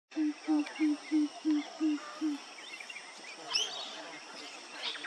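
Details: A male Pheasant coucal in Maryborough, Queensland, gives a series of seven deep, hollow hoots, about three per second, followed by a brief higher chirp and a background murmur.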